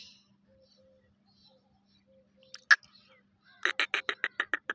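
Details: Grey francolin giving a loud harsh single note after near silence, followed by a rapid series of about eight sharp, evenly spaced rasping notes that shorten toward the end, over a faint steady low hum.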